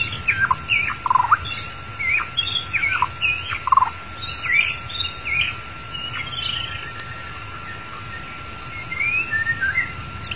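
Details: White-rumped shama, long-tailed type, singing in a recording used to lure and trap the bird. A lively phrase of sharp chirps and dropping whistled notes for six seconds, then softer rising whistles after a pause, with constant electronic hum.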